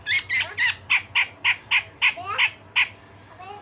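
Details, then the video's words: Rasping, sharp-noted song of a grey-cheeked bulbul used to teach other songbirds: a fast, fairly even string of about eleven grating, squawky notes, ending with a softer rising whistle. "Cucak jenggot Besetan Kasar dan Tembakan Tajam"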